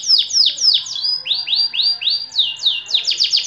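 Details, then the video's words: Short burst of long-duration song from a white AF canary: falling chirps, a run of slower rising whistled slurs, then quick descending notes again. "KENARI AF PUTIH DURASI PANJANG"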